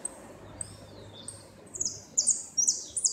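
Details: Saffron finch in a 2016 northern-zone repique singing competition, ranked second: after faint chirps, loud buzzy high notes burst out rapidly in the final second and a half.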